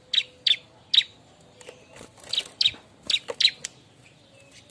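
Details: Bar-winged prinia calling noisily while looking for a mate, used as a lure sound: sharp, high chirps in short pairs and bursts, irregularly spaced, with quiet gaps between.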